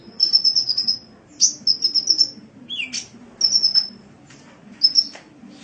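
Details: Sunbird song for training caged birds: bursts of rapid, very high trilled notes in short runs, one lower downward squeak mid-way, then more high trills separated by brief pauses.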